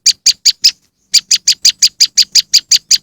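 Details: Moss wren lure: four quick scratchy chips, a half-second pause, then a fast run of about eleven more loud chips at a steady pace.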